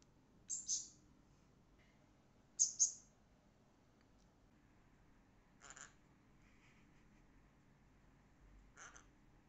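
A conure gives short hissing bursts like a spray bottle, some single and some doubled, spaced a few seconds apart.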